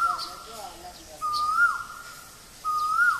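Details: Male Asian koel at Guwahati, Assam, India, giving loud, clear whistled notes that rise at the end, each about half a second long, repeated roughly every one and a half seconds against quiet surroundings.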